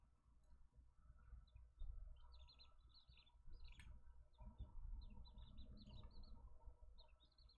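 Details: Captive button quail on a camera on day 31, 28 July 2024, give soft, high chirps in quick bursts of several notes, repeated through the clip over a steady low hum.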